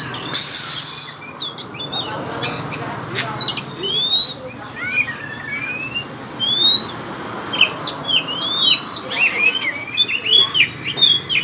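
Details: Oriental magpie-robin giving konslet-style song: loud, varied high whistles and slurred notes, some rising and some dropping, delivered in bursts that grow denser toward the end. A brief noisy burst comes at the start.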